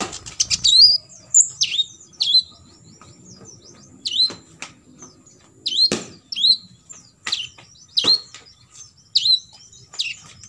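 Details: Olive-backed sunbird fill-in 'tembakan isian' material, played so other sunbirds learn it: a steady series of sharp, downward-swept chirps about every half second, each with a bright whistled tail.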